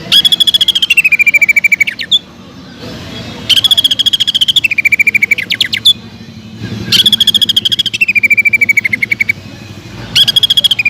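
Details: Greater green leafbird (cucak ijo) singing hot, rapid "tembakan" bursts meant to provoke other leafbirds: stuttering high notes sliding down into a buzzy trill, the phrase returning roughly every three and a half seconds, faint traffic rumble beneath.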